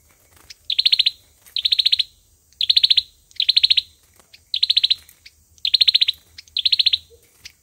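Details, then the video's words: Rapid, piercing trilled phrases from an olive-backed sunbird's fighting song, used as a trap lure; seven evenly spaced bursts, each a quick series of sharp ticks, in a quiet background. "Tiếng chim sâu dừa | sâu dừa hót đấu | tiếng sâu dừa mồi"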